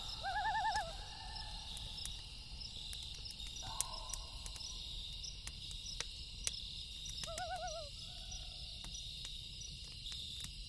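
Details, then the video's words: Night call of a loon: a quivering tremolo at the start, a short held tone midway, then another wavering tremolo burst, set against constant insect trill and sporadic snaps from a crackling fire. "Loon Call"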